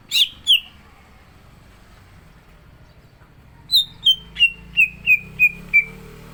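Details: Contest-ready greater green leafbird in full song: two bright slurred notes, a three-second silence, then seven clean downward-sliding whistles delivered steadily about every third of a second.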